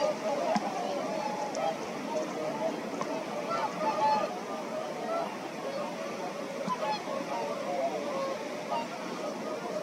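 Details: Whooper swans at Præstesøen call together in a steady chorus of overlapping bugling honks, mid-pitched and nasal, with a faint murmur in the background.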